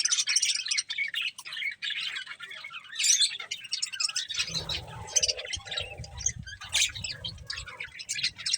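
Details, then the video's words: Budgerigars eating corn give high, scratchy chirps and twitters, thinning out midway while low rustling and soft handling noises from the feeding birds rise underneath. "Cute Budgies Enjoying Eating Corn | Love Birds Chirping Sounds"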